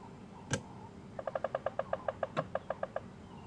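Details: A woodpecker on a morning safari drive gives a territorial drum on a dead, hollow piece of wood, probably in a marula tree: a steady, evenly paced run of about fourteen hollow raps over nearly two seconds, with two sharp knocks nearby.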